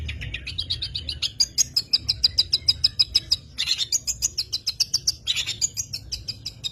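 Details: Long-tailed shrike song: a fast series of sharp, evenly spaced high notes about three per second, with a few louder burry notes mixed in, over a low rumbling background.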